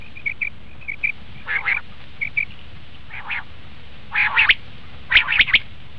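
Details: Common quail call used for luring quail when hunting: soft paired chirps, a few buzzy, rasping notes, and a closing burst of three sharp notes.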